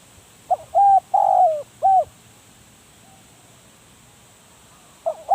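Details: Decoy spotted dove giving a full cooing phrase of brief hoots and one longer descending coo, followed by a quiet gap and the start of the next phrase.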